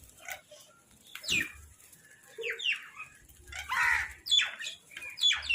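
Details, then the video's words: Crow food call, recorded naturally: harsh, hoarse calls sweeping downward, given singly and in short bursts about a second apart, with other chattering birds calling around them and a low rumble beneath. "Crow Food Call"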